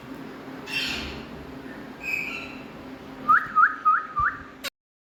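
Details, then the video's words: Indian ringneck parrots kept as talking pets: after soft, breathy sounds, four quick rising whistled notes repeat evenly, then the sound cuts off abruptly. "My Best🥀Talking Running🍃Indian Parrots♥️🌸"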